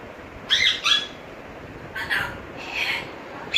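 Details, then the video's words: Pet African grey parrot talking, whistling and calling names indoors: short harsh squawk-like bursts, a pair near the start, another pair mid-clip and a brief note at the end, over a low steady background hiss. "African Grey parrot taking, whistling,calling names"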